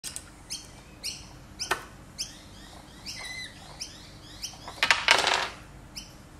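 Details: Lorikeet playing with a toy lorikeet, giving a series of short, sharp chirps that sweep downward, repeated roughly every half second, with a brief rattling clatter near the end.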